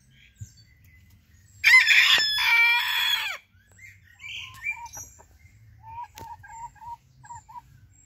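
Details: Crowing Sabelpoot rooster, one of a pair: a loud, hoarse, drawn-out crow lasts nearly two seconds and fades with a falling end, followed by soft, evenly repeated little bird chirps and faint twitters.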